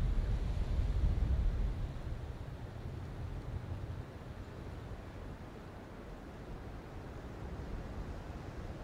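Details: Low, muffled rumble with soft wind, fading slightly after the first two seconds, and no animal calls.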